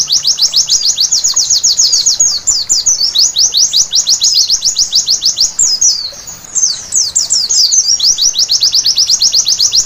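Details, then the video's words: Pleci, a white-eye, sings at night in a recording intended to trigger song: a nearly continuous high chatter of quick falling notes, with a short dip and jumbled phrase around the middle. "Terapi Pleci Malam Hari Bikin Gacor seketika!!!"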